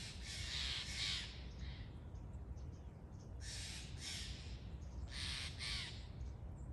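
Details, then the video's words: Steller's jay calling in loud, grating, noisy bursts, about three groups of rapid doubled notes spaced a couple of seconds apart, with a low background rumble throughout. "steller's jay"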